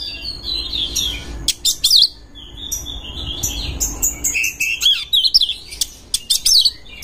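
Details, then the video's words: Oriental magpie-robin in breeding heat, singing as a lure for other birds: thin whistled slurs and squeaky upward sweeps broken by sharp clicks, over a constant low background hum. "JEBOL BIRAHI ⚪ RAMUAN KACER PALING AMPUH UNTUK PANCINGAN BURUNG ANDA"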